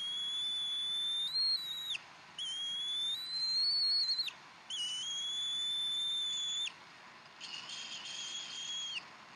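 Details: Bald eagles at the Decorah nest on 15 April 2012 at 6:00, during feeding on a fresh duck: four long, thin, steady high whistles of about two seconds each, with short gaps between them, over a constant background hiss.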